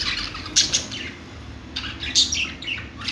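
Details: Budgerigar (Australian parrot) giving a few isolated short, harsh chirps separated by quiet pauses.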